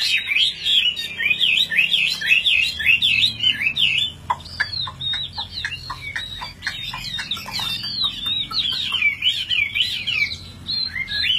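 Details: Caged Chinese hwamei, tame fighting bird, in full song while carried by hand with its cage shaken. Fast, jumbled, looping whistled phrases pour out, broken midway by a run of dry clicking notes before the warbling resumes.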